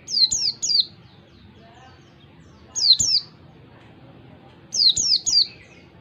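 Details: Oriental white-eye giving clear ngalas-style song for tutoring learning birds: bursts of two or three shrill, high, descending chirps spaced about two seconds apart.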